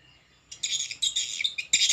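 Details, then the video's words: Swiftlet calling sound of the Sriwijaya style, used as a stereo lure for swiftlet houses, without roosting sounds: silence, then dense high twittering chirps in three bursts, each about a quarter second long. "SP PANGERAN SRIWIJAYA STEREO INAP BJA FULL SUARA INDUK"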